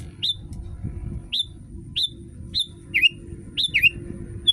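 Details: Sooty-headed bulbul recording meant to get caged bulbuls singing along: spaced, clear, downward-slurred whistled chirps, roughly one every second, some doubled, over a constant low hum and a faint steady high tone.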